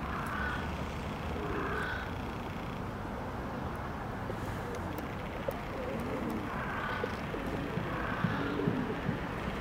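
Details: Feral pigeons (Columba livia domestica) at Prule, Ljubljana, on 27 February 2023 give low, soft, rolling coos in short phrases, set against a steady rumble of city traffic.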